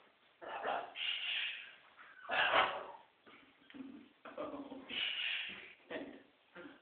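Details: Pet scarlet macaw playing during special time with its owner indoors: harsh, raspy squawks and chattering bursts, some rising, in uneven runs with short gaps, close and loud.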